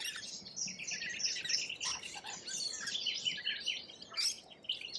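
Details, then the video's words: Dense, nonstop lorikeet chatter from Australia, many birds screeching and chirping at once in high rasping bursts, with one louder squawk near the end. "Australian wildlife Lorikeet"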